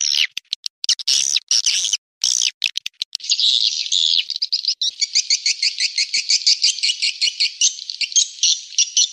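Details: Swiftlet call recording used to lure swiftlets: harsh buzzy chirps broken by clicks, then a fast, even run of high pulsed notes that repeat steadily to the end.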